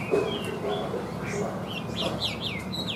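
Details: A Chinese hwamei, a long-tailed bird with a good, even voice that flicks its wings, sings a fast run of clear, slurred whistles, rising and falling swoops repeated about every third of a second, over a low background hum.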